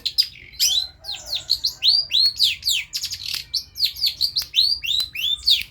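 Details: A long-tailed shrike in full song for a tutoring recording: a run of clear down-slurred whistles mixed with sharp chirps, roughly two or three notes per second, sustained throughout.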